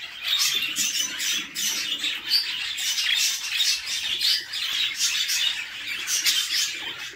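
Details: Nestling budgerigars beg as their mother feeds them in the nest box: a dense, unbroken wash of shrill, grating chirps and squawks with rapid fluttering rhythm.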